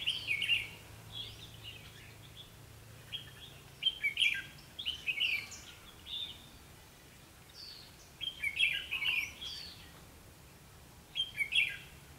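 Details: Red-whiskered bulbul fight-singing as a trapping decoy on 21 October 2016; lively, squeaky warbled phrases come in clusters every two to three seconds, with low steady hum beneath during the opening seconds.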